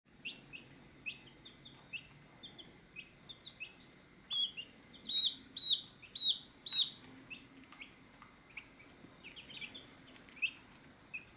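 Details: Chicks at a feed dish, giving a steady stream of high, thin, down-slurred peeps about two per second, with a louder burst of peeps midway and a faint low hum underneath.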